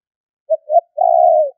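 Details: Spotted dove calling to attract wild birds: a quick short coo, a rising second note, and a long level hoot ending lower, heard alone.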